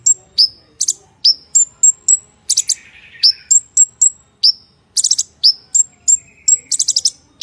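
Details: Konin (purple-throated sunbird) delivering a busy full-isian song: a near-continuous string of high, thin, downslurred whistles and chips broken by rasping rapid-fire bursts. A soft mid-pitched rustle is heard briefly in the background.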